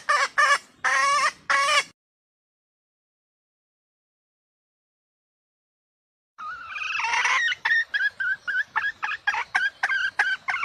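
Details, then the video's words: Female red junglefowl heard as a hunting caller: three loud, harsh clucks, a long silence, then a wavering drawn note leading into rapid, evenly spaced clucking. "suara ayam hutan betina"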